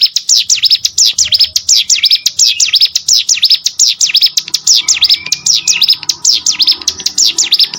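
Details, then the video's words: Rapid high-pitched hill prinia song for training competition birds, with dense repeated V-shaped sweeps and a couple of short lower whistled slurs slipped in between. "CIGUN ATAU PRENJAK GUNUNG!!! MASTERAN UNTUK BURUNG LOMBA"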